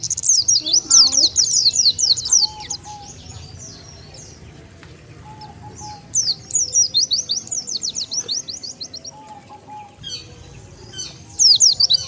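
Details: White-eye lure call for pulling in wild Oriental white-eyes: bursts of quick, thin, high twittering separated by quieter stretches, with a faint low whistle between bursts.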